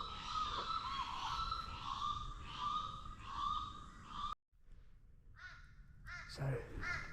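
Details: A Torresian crow in wet sclerophyll forest in Australia, near a gully below a ridge, gives short, nasal, downslurred caws in a quick series while a man talks over the calls.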